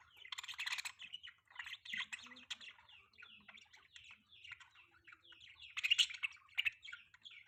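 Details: Morning chatter of budgies in mating season, a dense run of rapid high chirps and scratchy warbles almost without a break, swelling louder near the end, over a faint low hum.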